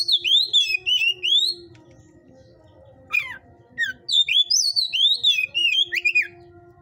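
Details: White-rumped shama, fiery type, kept in a breeder's cage, delivering rich whistled phrases that slur up and down, broken by a sharp descending note and a pause, then a rapid varied burst, over a faint low hum.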